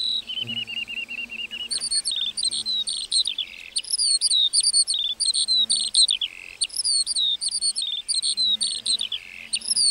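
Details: Lark singing in a meadow: a long, continuous, high-pitched stream of rapid twittering trills, warbled notes and short rising and falling whistles, with a faint low hum underneath.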